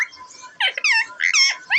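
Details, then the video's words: Deshi parrot voice from April 28, 2024: after a quiet hum, a series of gravelly, bent squawks rises and falls, ending on a sharp upward call. "Deshi Cute Parrot Talking Natural Sounds"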